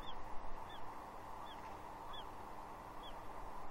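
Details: Juvenile female bald eagle at Two Harbors, Catalina, on 30 June 2021, perched on a tree and squeeing at her father for fish; thin, high, falling whistled notes repeat about every 0.7 seconds over steady hiss.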